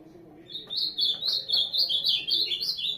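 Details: Ultramarine grosbeak (azulão) pouring out a quick, even series of high whistled notes, each a short up-and-down slur, around four per second across three seconds.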